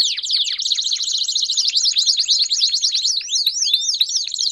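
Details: Belgian canaries in a group, singing in quick rattling bursts that break into crisp, repeated V-shaped chirps, with several birds trilling over one another without pause.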